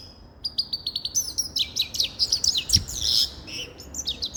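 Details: Grey-crowned goldfinch in continuous song: rapid, high-pitched chattering twitters and buzzy trills, about two notes per second accelerating into a dense warble, with faint background hiss.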